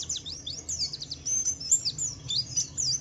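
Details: Javan white-eye ngalas song, meant to make other white-eyes answer: rapid, shrill, wavering whistled twitters in quick succession, steady through three seconds, with a quiet low rumble beneath.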